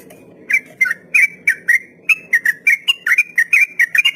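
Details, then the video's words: Sooty-headed bulbul in a long 'ropel' song style, used to train untamed captive birds: quick whistled notes near one pitch, each with a slight rise or dip, coming about three per second after a short pause. "Trucukan Ropel panjang || masteran buat burung trucuk pemula"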